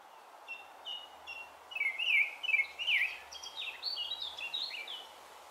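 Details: Song thrush near Brighton, June 2020, delivering a varied stream of short whistled and twisting notes, some repeated in quick succession, rising into higher squeakier phrases against constant background noise.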